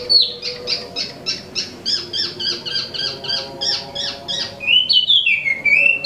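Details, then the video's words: Imported Wambi mini, also called Tieu Mi, kept caged and singing actively: a fast run of short whistled notes near one pitch, then a descending slurred phrase. Faint steady humming tones sit underneath. "Wambi Mini Asli Impor/Tieu Mi Gacor"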